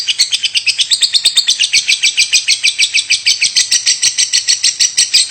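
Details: Lovebird giving its nonstop "cough" call: a rapid, unbroken series of harsh, rasping chirps, roughly two or more per second, steady in rhythm throughout.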